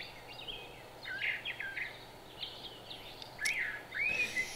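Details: A Brown Thrasher in a park in Cabarrus County, North Carolina, on 13 March 2017 sings quietly: varied, rich chirps and slurred phrases in quick succession, over steady hiss with other birds faintly heard.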